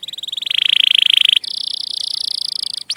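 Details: Canary song recorded for training young canaries: a dense, buzzy rolling trill held steady for over a second, then switching to a higher, equally rapid rolled trill, ending with a quick high note.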